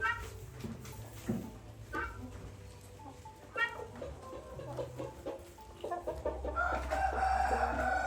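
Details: Territorial helmeted guineafowl give harsh, rasping clucks and chatters, ending in a louder grating outburst.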